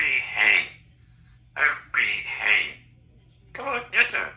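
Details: Chatty female Congo African grey parrot, aged three, kept indoors, speaking in bright, raspy, word-like phrases: three loud bursts of mimicked speech separated by short silences, with a faint steady hum beneath.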